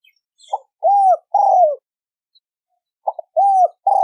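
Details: Spotted dove lure coo in the thổ sấm đồng style for attracting males and females. Clipped notes lead into arched, falling coos in two phrases, with faint high chirps of other birds in the background.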